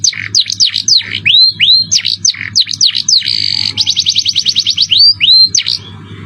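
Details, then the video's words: Jerih-voiced canary singing a cengkok mewah masteran: repeated downward-swooping notes, hooked rising whistles, a short buzzy tone and a fast trill, over a low background hum. "Masteran kenary cengkok mewah suara jerih"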